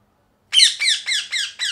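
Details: A parrot gives five loud, harsh, rasping squawks in quick succession, each a short downward-sliding burst, every squawk a little softer than the first, with silence before the series begins.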